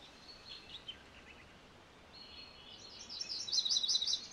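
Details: MacGillivray's warbler singing: faint, thin, high-pitched notes drift in first, then a louder, rapid series of repeated chirpy notes arrives near the end over a steady background hiss.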